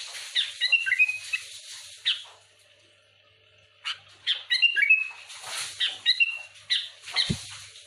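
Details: Sooty-headed bulbul singing to provoke other bulbuls, with broken bursts of whistled and chattering notes set against a hissy, noisy background and a quiet gap of over a second near the middle.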